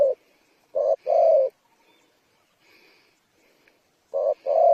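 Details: Spotted dove giving two low cooing phrases, each a short coo then a longer one, separated by a few seconds of near silence with faint distant chirps.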